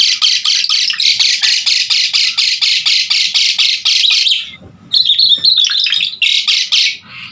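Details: Asian pied starling in energetic song used for training other songbirds: a rapid run of harsh, buzzy chattering notes at about four per second for four seconds, then a brief pause and bright warbled whistles.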